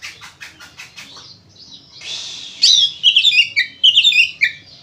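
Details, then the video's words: Oriental magpie-robin song meant to make others sing: a series of quick clicking pulses, a hissing burst, then a lively run of varied whistled and twittering notes. "SUARA BURUNG KACER GACOR NGEPLONG NARUNG ini ampuh buat PANCINGAN KACER AGAR BUNYI"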